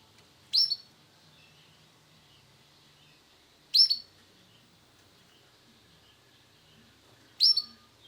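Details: Male Sunkist-variety canary giving three loud, sharp, high call notes, each a quick downward chirp, spaced about three and a half seconds apart in near silence.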